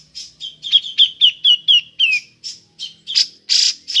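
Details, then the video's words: Ngepik calling of a grey-cheeked bulbul, kept as a lure for other birds: a steady string of sharp, slightly descending high chips about four per second, ending in harsher squawky notes. "Burung cucak jenggot ngepik cocok untuk pancingan"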